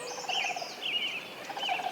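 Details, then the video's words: Sandhill cranes bugle from a wetland near the Snake River with rolling, rattling trumpet phrases, about three in two seconds, over faint high songbird notes; the pair was recently seen leading two young colts. "And then down in the wetland, I hear the sand hill cranes bugling."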